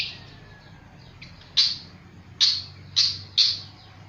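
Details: Flycatcher singing very actively: widely spaced, loud, sharp downslurred notes, four or five over four seconds, over a steady low background hum and hiss.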